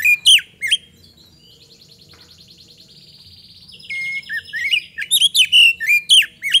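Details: Magpie-robin song recorded as a lure for other birds. Loud whistled notes at the start give way to a buzzy trilling chorus of other birds, then a quick sequence of sharp whistles and slurs returns.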